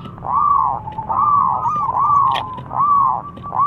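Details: Zebra dove of a local strain calling loudly so others answer: repeated arched, mellow coo notes, each swelling and fading, rolling on almost continuously at about one per second.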